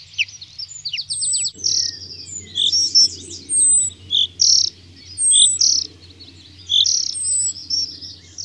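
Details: Common chaffinch (Fringilla coelebs) song: bright, high notes opening in a quick falling trill, then short, varied phrases about once a second over a low steady hum.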